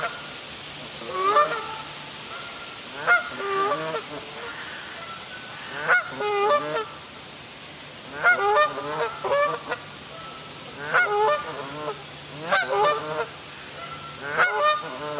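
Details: A Canada goose in a wildlife park in Ludwigshafen am Rhein, having found its lost goslings, gives loud, nasal honks in short bursts every one to three seconds, some quickly doubled, over a faint low hum.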